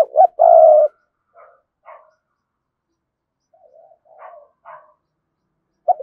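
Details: Spotted dove used to call in wild doves: a short rising note and a loud rough coo open the phrase, followed by scattered faint soft notes and a final brief coo.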